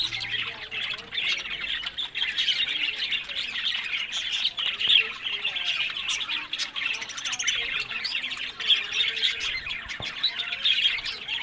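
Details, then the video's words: A crowd of captive breeding budgerigars in Larkana, Sindh produces continuous high, buzzy chatter and scratchy squawks, with many birds calling at once and the level holding fairly even throughout. "Buddies Parrot Voice"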